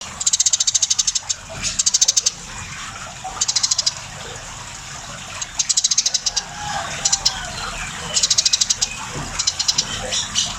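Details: Very tame Eurasian tree sparrow in lively song: bursts of rapid, dry clicking chirps, each burst about half a second to a second long, repeated several times with short pauses, over a steady background hiss.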